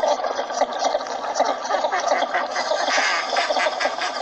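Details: Calls of northern shoveler ducks, filmed while hunting in Pakistan: many birds calling at once, forming a thick, unbroken wash of raspy quacks and gabbling notes that swells slightly toward the end.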